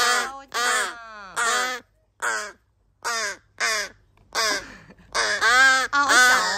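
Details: Three rescued crow chick siblings, found dumped in a garbage bag and now on days 26–27 of care in July 2022, give loud, harsh, nasal caws in uneven half-second bursts, overlapping and calling repeatedly.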